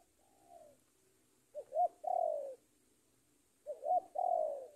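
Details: Spotted dove used as a decoy, its lure call challenging a rival: two low cooing phrases, each a short double note followed by a longer falling coo, with a faint weaker coo near the start and a quiet background.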